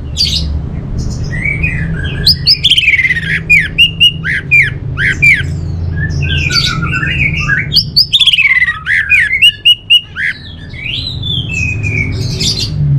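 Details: Long, lively orange-headed thrush song, a continuous stream of loud whistles, slurred fluty notes and sharp chipping bursts, phrases tumbling one after another with barely a pause, over a constant low background hum.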